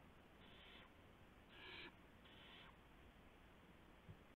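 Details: Owl after midnight on April 7, 2016, during a gopher delivery: three drawn-out, noisy hisses in a row, each about half a second long, then quiet hum with one faint knock.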